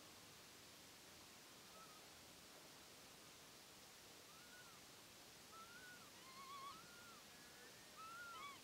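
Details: Northern lapwing (Vanellus vanellus) giving faint, slurred, arching 'pee-wit' calls, a few close together in the second half, over a steady hiss of wind or distant water.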